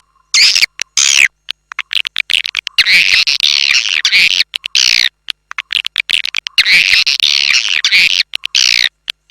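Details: Swiftlet calling sound of the A Leyung style, used as a lure to attract swiftlets. High, squeaky twittering chirps in dense bursts of about one second, broken by short silences and repeating roughly every three to four seconds.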